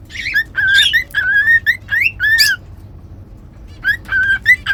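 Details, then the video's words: Cockatiels whistling and singing at home as a training recording; a run of steady and swooping whistles, a short silence, then the whistled phrase resumes. "Cute Cockatiels Whistling & Singing"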